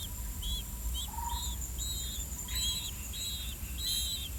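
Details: Two older blue-winged pitta chicks in the nest give thin, high, slightly buzzy begging notes, about twice a second, while waiting for their parents to bring earthworms, over a low rumble and a steady high insect whine.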